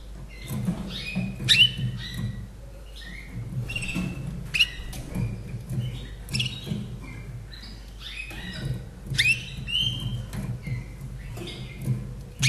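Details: Caged Slavujar canary from Austria, hatched in 2011, singing a little song: short bright chirps and whistled notes in scattered bursts, separated by pauses, over a low steady hum.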